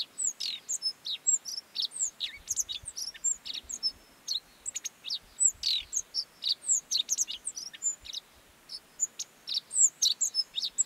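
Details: High, sharp song of a Godlewski's bunting in the Mongolian Gobi, an unbroken rattle of quick chips, thin whistled slurs and sputtering notes over faint low background noise.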